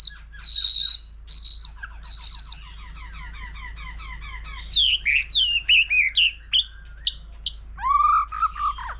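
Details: White-rumped shama, forest-matured, singing varied phrases beside a laughingthrush; three steady high whistles, a long fast stuttering trill, then sharp varied notes and a low fluty closing phrase.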